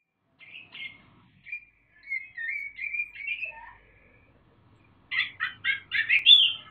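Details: Young caged Sumatran leafbird, just past the juvenile-plumage stage, in loud rapid ngriwik chattering, with mimicked parrot and namdur phrases: warbled whistled slurs, then a burst of quick harsh repeated notes.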